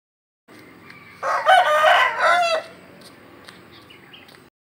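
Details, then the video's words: A rooster crows once, loud and raspy, the call held for over a second with a wavering, strained ending, then faint background hiss. "Ayam Jantan Berkokok | Suara Ayam berkokok"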